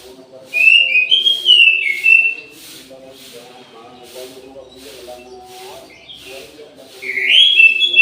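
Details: Caged orange-headed thrush in an aviary at midday delivering a rich, fluty warbled phrase, then a pause of soft distant chirps over a low hum before another rising whistled phrase begins.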